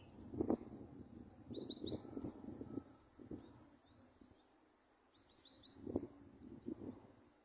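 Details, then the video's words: Finch singing short bursts of high, rapid chirps, heard twice with a pause between. Low thumps and knocking sound underneath. "أجمل تغريد طائر الحداد"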